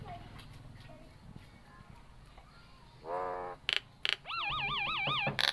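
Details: A very vocal Nias hill myna. The first three seconds hold only a low background murmur. Then comes a nasal harmonic call, several sharp, loud whistled notes, and a long, rich, wavering whistle that rises and falls in rapid loops.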